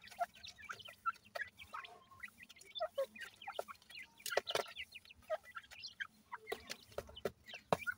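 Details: Newly hatched grey francolin (dakhni teetar) chicks peeping: many brief high chirps in quick succession, some overlapping, amid frequent tapping and rustling noises.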